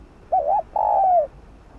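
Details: Single 'thúc gù' coo of a spotted dove, played to stimulate cooing: a brief quavering note, then a longer smooth coo that slides slightly downward, with low background noise.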